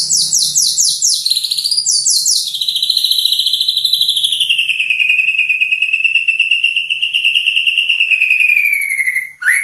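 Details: White-rumped shama of the Medan type, a competition songbird, singing: a quick burst of falling, ringing whistles, then one long, rich, slightly wavering whistle held for seconds before a final sweep; faint low hum underneath.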